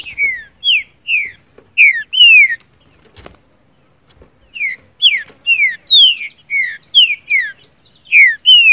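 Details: Green-winged saltator, a training recording for a captive bird, singing the "seu chico" song: a string of bright falling whistles, a short click and near-silence, then a second longer burst of repeated downslurred notes.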